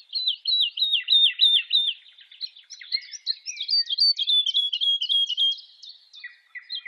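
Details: Woodlark (Lullula arborea), which sings as it rises in undulating song flight to great height, gives a rapid series of soft, fluty descending notes in quick runs before shifting to higher, more varied phrases. No other sounds.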